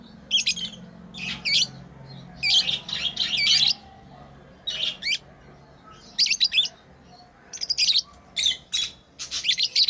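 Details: Playing pet lovebirds give bursts of shrill, high chirps in quick clusters, several notes a second with short pauses between groups, fairly loud and close, in a quiet indoor setting.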